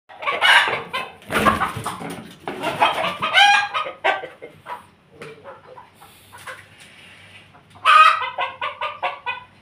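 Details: Bangkok chickens kept together with Pelung chickens, giving loud harsh harmonic calls in clustered bursts, a quieter stretch of soft clucks in the middle, then another strong burst of calls.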